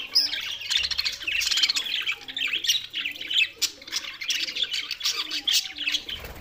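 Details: Several budgerigars, noted as lonely, filmed 7 June 2024, producing a steady stream of scratchy warbles, short chirps and harsh squawks with rising and falling bursts.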